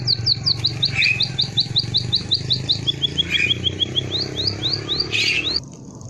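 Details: Canary song in a soothing style: long runs of rapid, evenly repeated high chirps, shifting between trill types, over a steady low hum.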